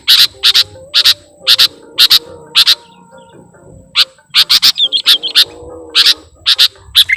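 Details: Kutilang lure song, gacor and filled with mimicry: short, loud, high chips in pairs and triplets, almost two per second, with a pause midway and a brief warbled run, faint steady hum beneath.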